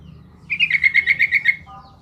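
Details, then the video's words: Lively sooty-headed bulbul song meant to coax novice birds into answering: a rapid string of roughly nine rounded, bubbling notes lasting about a second, ending with a soft, low, steady tone. "BURUNG TRUCUKAN GACOR"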